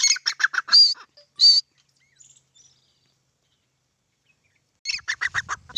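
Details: Grey francolin, locally called Dakhni teetar or teetar, calling: a run of rapid, harsh, rhythmic notes lasting about a second and a half and ending in two ringing higher notes, a long quiet gap, then another fast burst of notes.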